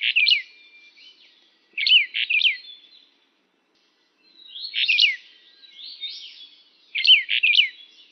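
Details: A brown bullfinch (Pyrrhula nipalensis uchidae) calls in four quick bursts of two or three thin, high, slurred whistles, spaced about two seconds apart, against a quiet background.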